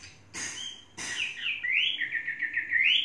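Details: Chinese hwamei in captivity, a bird of three seasons, after two sharp clicks or knocks, gives a rising whistle and then a rapid, trilling, undulating warble.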